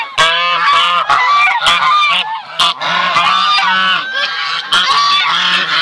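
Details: Sebastopol geese, buff type, with goslings: bursts of overlapping honks and trumpeting calls in irregular waves, brief dips between bursts, high peeps threaded through.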